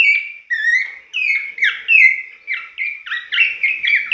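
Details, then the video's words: Abbott's babbler, a bird that sings persistently every dawn, kept for luring other babblers. Loud, clear whistled phrases, each slurring up and down, follow one another about every half second without pause. No other sounds are heard. "Pelanduk semak gacor bunyi setiap subuh jos banget buat pancingan pelandukmu"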